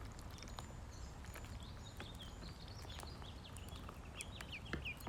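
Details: Fed ducklings give a string of brief high whistled peeps, thickening toward the end, some hooked and rising. Clicks and a muffled low hum sit beneath the calls.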